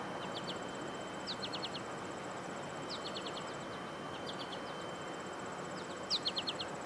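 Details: On 14 July 2022, American goldfinches give quick bright bursts of three to five sweet chips, repeated every second or two, over a steady insect whine and rural hiss.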